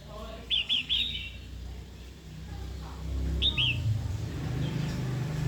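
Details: Female red-whiskered bulbul provoking a wild-caught male to sing and fight. A quick run of three bright down-slurred notes, then a pair, over a steady low hum and background noise.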